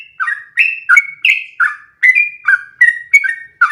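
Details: Sooty-headed bulbul in active voice, repeating its rolling song as a model for other birds: rapid slurred, fluty notes in quick pairs with tiny gaps between them.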